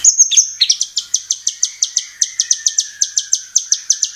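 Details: White-rumped shama (murai batu) sound played as a lure to prompt singing: a long run of crisp, high clicking chips repeated about five times per second, steady and even, over a faint lower tone.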